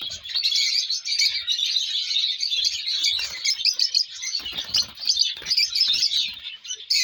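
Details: Lovebird chicks of various colours calling in a continuous, busy stream of high, thin chirps and squeaks, overlapping with no pauses, with a few faint soft knocks and rustles beneath.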